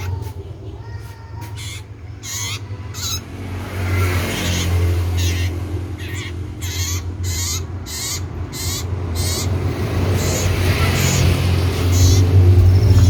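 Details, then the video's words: Actively singing common iora, cipoh sirtu: at first scattered, then rapid, evenly spaced rasping chirps building into a long steady series, over a rumbling low-frequency background. "SUARA KENCANG BURUNG CIPOH SIRTU GACOR"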